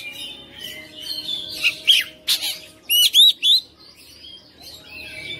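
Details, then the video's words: Oriental magpie-robin kept at home, in persistent combative song showing its learned fillers: murmured warbling, then loud harsh rasps and a quick trio of bright, clicking whistled notes before the song softens again. "KACER RUMAHAN FIGHTER NGOTOT | GACOR | BONGKAR ISIAN"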